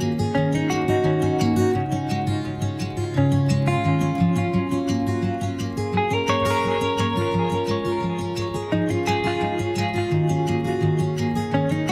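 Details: Strummed acoustic guitar music plays throughout, with no animal voices audible.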